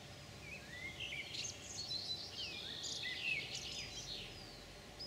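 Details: European pied flycatcher (Ficedula hypoleuca), recorded 9 June 2019: a lively phrase of high, sliding whistles and twittering notes, repeated in quick succession over soft rural background noise.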